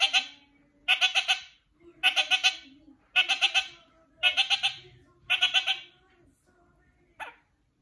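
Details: Kakariki calling to another kakariki: six bursts of fast, nasal, chattering notes about a second apart, then a short quiet gap and one final brief note, with a faint low hum beneath.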